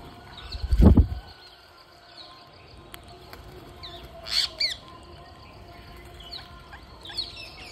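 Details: Indian ringneck parakeets at feeding time: one loud, harsh, broad squawk bursts out midway, followed by a few fainter short squawks later, with a dull thump near the start and steady background hiss throughout.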